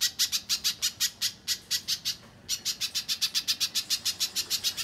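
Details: Little spiderhunter (Arachnothera longirostra) singing energetically: a long run of sharp, high chips, about five per second, with a brief pause midway; nothing else is heard.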